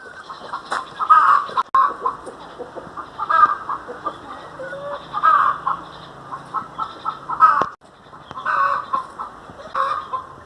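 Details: Domestic hen kept as a pet, a long run of nasal clucks grouped in loud bursts every couple of seconds, separated by quieter muttering notes.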